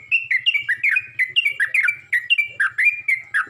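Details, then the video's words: Yellow-vented bulbul calling to other bulbuls with a continuous string of liquid, up-and-down slurred chirps, roughly four per second, bright and bubbly throughout, with a faint low hum in the background. "Burung trucuk ini pandai memangil burung trucuk lain"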